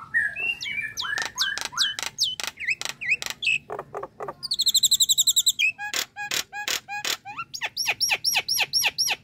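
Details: Nias hill myna calling: varied loud whistles and sharp chirps, rising and falling notes, broadband clicks, then a rapid buzzy trill before a run of repeated high chips.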